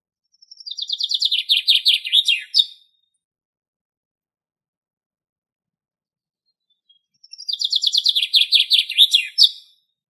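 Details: Common chaffinch song recorded in the Greek countryside: two full strophes about seven seconds apart. Each is a fast, descending rattle of crisp notes lasting some two seconds and closing with an emphatic final flourish.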